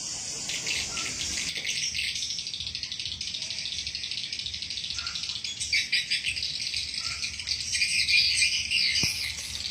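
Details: Swiftlet calls played to attract swiftlets: a dense, continuous mass of high, buzzy chirps, rapidly repeated and overlapping, with brief louder bursts toward the end and little else heard.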